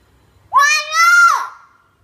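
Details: Hill myna learning to talk, producing a two-part, voice-like utterance with a clear harmonic tone that rises slightly, dips and then holds steady before falling away, lasting about one second in a quiet setting.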